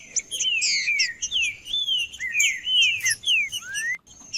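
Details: Green-winged saltator male in aggressive singing meant to stir up rivals, delivering fast runs of bright downslurred whistles, about two per second, ending on a long rising whistle; a steady high tone hums behind.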